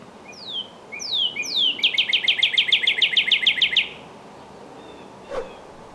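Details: Northern cardinal singing: three long, clear whistles slurring downward, then a fast run of about a dozen sharp, evenly spaced chips that end abruptly. A faint single click follows in otherwise quiet surroundings.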